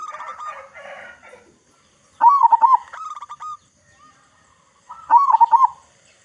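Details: Loud-voiced local zebra dove, song meant to lure other zebra doves into calling: a soft rough phrase, then a loud bubbling coo with a staccato tail, repeated about three seconds later.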